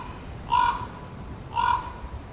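Two deep, hoarse croaks from a common raven, about a second apart, each rough and slightly drawn out over a quiet background.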